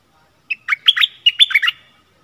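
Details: Decoy stripe-throated bulbul in a cage, answered by wild birds thought to have chicks in a nest, 1 April 2021. A pair of lively chattering phrases, each a cluster of quick, throaty, fluty notes.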